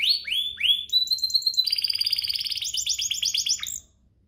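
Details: Canary singing as a lure to set other canaries singing: opens with sweeping slurred whistles, then a long, even whistled note, followed by a dense bubbling trill of repeated upswept notes that stops abruptly.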